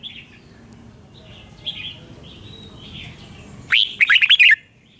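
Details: Red-whiskered bulbul, a recording for training caged birds or trapping: soft distant whistles for several seconds, then a close, loud burst of quick chirped notes near the end.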